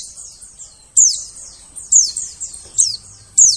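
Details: A white-eye gives thin, very high chirps that slur sharply downward, with louder notes roughly every second among softer ones, over a faint low rumble. The call is used as a lure for catching birds in the forest.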